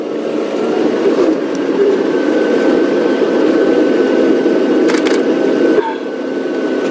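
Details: A steady mid-pitched engine drone with a faint thin whine, broken by a couple of sharp clicks near the end.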